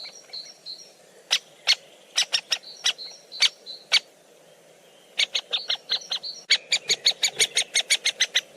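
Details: Woodpeckers feeding at close range; sharp, loud, clicking calls repeated about twice a second in irregular bursts, with faint softer chirps from other birds in the background.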